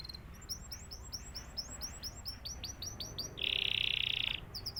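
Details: Canary singing: a rapid series of high, repeated upward-sweeping chirps, then a long bright buzzy trill, followed by more quick chirps.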